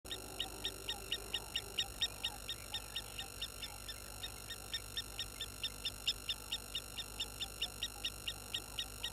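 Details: Water thick-knees at Gowrie dam waterhole, Djuma Game Reserve, Sabi Sand Wildtuin, South Africa, upset by an approaching baboon at 16:50: a long, steady series of short, high piping notes, about two per second, over a constant electrical hum.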